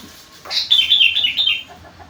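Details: Sooty-headed bulbul (kutilang) singing an isian repertoire filled with rengganis and cucak wilis song: a single bright warbled phrase of about one second, notes sliding up and down at high pitch, over a quiet background.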